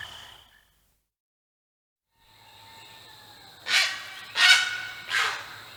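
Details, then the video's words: Great Blue Heron giving three harsh, rasping croaks about a second apart after a near-silent pause, with a faint low hum and a thin whistle underneath. "It's time for a morning wake-up call from the shallows. Listen to the prehistoric sound of the great blue heron."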